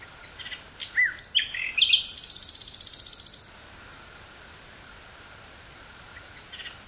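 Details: Nightingale song recorded on 18 May 1983 in woods near Burgh-Haamstede, Netherlands: a cluster of varied sharp whistles and chips leads into a fast buzzing trill of about a second and a half, then silence before another phrase begins.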